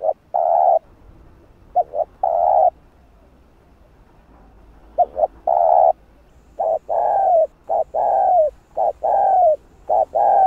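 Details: Spotted dove delivering gáy gọi, thúc and gù calls to draw wild doves; paired short hoots each leading into a longer coo, then a denser run of arched coos and drawn-out falling notes near the end.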